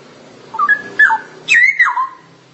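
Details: Straw-headed bulbul song fragment: three rich, slurred whistled phrases, rising then falling, the last one loudest and sweeping downward, over a faint low hum.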